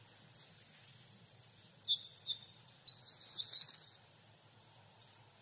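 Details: Hawfinch song: high, thin notes, some sharp and clicking, others drawn-out falling or level whistles, spaced irregularly across the phrase, with a faint low hum beneath.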